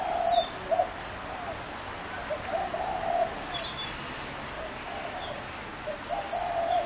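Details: Spotted dove on 21 January 2017, part of a noisy racket: short low coos scattered through the recording, the last one longer and louder, over steady background hiss.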